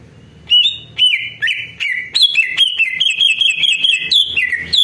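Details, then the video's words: Greater green leafbird song used as a lure to make other birds answer: a loud, lively stream of clear whistled notes, each with a sharp clicky start, sliding up and down and repeated in quick succession. "CUCAK IJO DI JAMIN BUNYI DAN LANGSUNG NYAUT"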